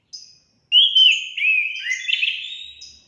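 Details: Orange-headed thrush singing, a recording used to prompt pet birds into song: a brief high note, then a rich rambling phrase of slurred, warbled whistles with thin high overtones, lasting over two seconds.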